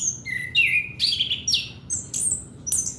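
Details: Orange-headed thrush song, used as a lure to spur young untrained males: loud, varied, high whistled phrases, some sliding downward, others quick and chirpy, given in rapid bursts with brief gaps over a faint low background hum.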